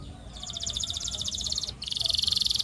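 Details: Russian singing canary producing continuous buzzy rolled trills, two stretches of rapid pulsed notes with a short break between, the second louder and brighter.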